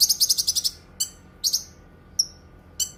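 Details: Cucak kinoi opening with a fast run of about eight high chattering notes, then scattered sharp chirps and a brief clear whistle.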